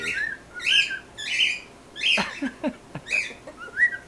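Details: A pet male cockatiel, singing and talking while sticking his head in his new bell, gives bright, rising whistled chirps in short bursts, with a few clinks and clatters from the bell between.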